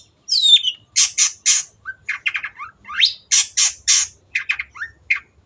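A long-tailed shrike sings a fast, scratchy run of harsh squawking bursts mixed with thin whistles and quick rising slurs, several notes each second.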